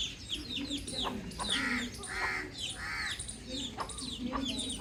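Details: Baby chick outdoors giving short downward-sliding high chirps in quick, uneven succession, with a few broader harsh calls from another bird overlapping in the middle.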